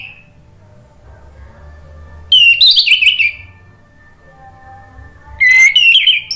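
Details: Orange-headed thrush in full gacor song, played to spur a non-singing bird into answering; two loud bursts of sweet whistled, warbled notes separated by a few seconds of near silence with faint low hum.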